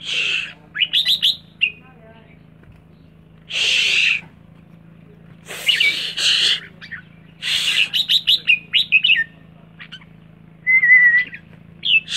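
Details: Red-whiskered bulbul giving its rik call: harsh, raspy broadband bursts alternating with quick clusters of short rising chirps and one thin sustained whistle near the end, over a steady low electrical hum.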